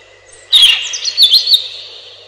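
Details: A single high robin phrase: a sharp start, then tumbling squeaky, warbled notes that fade into a thin trailing whistle.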